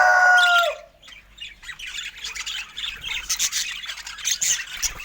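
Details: Happy budgerigar chirping: a short, clear, harmonic squawk opens, followed by a pause and then busy, scratchy, high chatter that grows louder.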